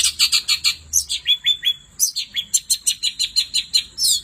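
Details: Night song of a long-tailed shrike, fast run of clipped high notes, a few level whistles, then more quick chips and a rising squeal at the end; constant faint high hum behind.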